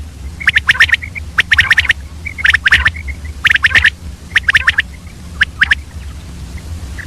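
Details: Female common quail calling in early morning: rapid bursts of three to five sharp, clicking, buzzy notes, bunched in groups about once a second with short gaps, over a low steady background hum.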